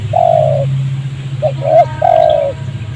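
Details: Wild spotted dove near a rubber garden close to a village, calling in excited response to a trained decoy dove during trapping, still cooing after being snared. Three low, hollow coos, the middle one broken, over a steady low hum.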